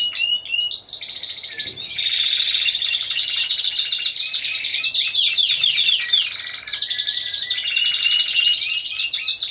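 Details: Timbrado Español canaries, a team of four singing at a November 2015 show and contest: an unbroken stream of loud, rich rolling trills and metallic rattles, with varying pitch throughout.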